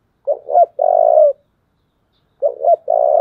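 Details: Spotted dove, 'giọng thổ' voice, giving its fighting call twice: each phrase is two short rising hoots and a long buzzy, even coo, separated by about a second of silence.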